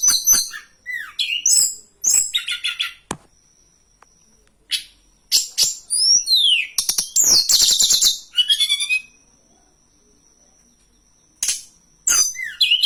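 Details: Hill blue flycatcher song used as a lure and tutor for training birds: bursts of swooping whistles and rapid scratchy chatter alternating with silences of several seconds, a thin steady high tone audible in the gaps.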